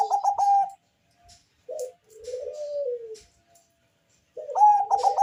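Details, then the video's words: Bangkok zebra dove with a thick bass voice, its song meant to draw calls from other doves. A fast rolling burst, a pause, a short note with a long falling coo, then another rapid burst. "Perkutut bangkok rajanya bikin gacor suara tebal ngebass manggung merdu mengundang bunyi perkutut"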